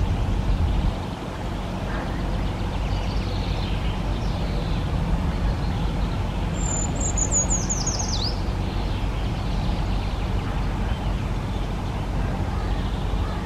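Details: Eurasian treecreeper giving a single thin, very high trill that slides steadily downward over about two seconds and ends in a lower flourish, over a steady low rumble of background noise.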